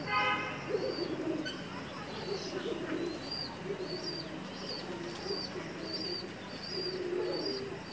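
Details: Pigeons give soft, low, throaty coos in irregular bursts, while a separate high, thin chirp repeats roughly every half second through the background.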